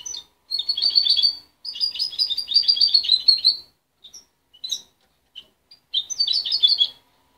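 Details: Young goldfinch hybrid (mule), raised by its mother rather than hand-reared and separated at 23 days, still developing its song: fast twittering, buzzy phrases of high trills in bursts of one to two seconds, with brief single chirps between and a final burst.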